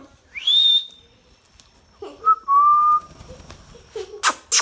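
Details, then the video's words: Talking Indian ringneck parakeet giving a loud upward-sweeping whistle, then short level whistled notes after a pause, ending in two harsh, noisy screeches, over a faint constant high-pitched hum. "Talking Parrot sound | Ringnick Parrot natural sound | indian ringneck parrot talking"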